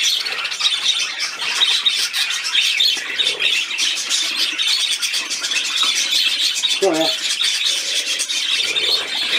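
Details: Budgerigar at play on 13 December 2019, chattering nonstop in a high, gritty warble of quick clicks and squeaks, with a brief lower stacked burst around seven seconds in.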